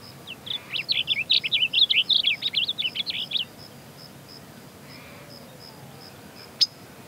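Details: Blue grosbeak song: a rapid, warbling phrase of high sweet notes running about three seconds, rising and falling jumbled chirps, then quiet with a faint steady high tone and a single sharp click later.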